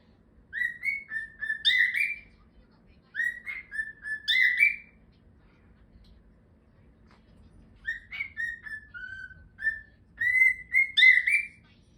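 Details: A pet cockatiel (Nymphicus hollandicus) sings and whistles a melodic phrase of rising and falling notes, repeated after short pauses.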